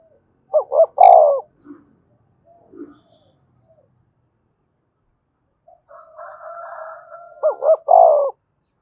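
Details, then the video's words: Decoy spotted dove cooing to rouse a newly caught caged bird: two phrases, each two short rising hoots then a long, drawn-out descending coo, with faint scattered sounds and a buzzy harmonic noise between them. "Tiếng chim cu gáy kích bổi nhanh nổi, cu gáy mồi luyện bổi thúc sung nhất hiện nay"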